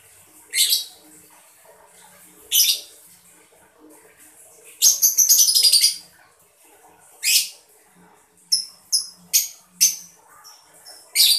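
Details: Mocca lovebird chirping, used to prompt other birds into singing: harsh, broadband chirps at irregular intervals, one dense rapid burst mid-way, then a quick run of sharp, thin whistled notes.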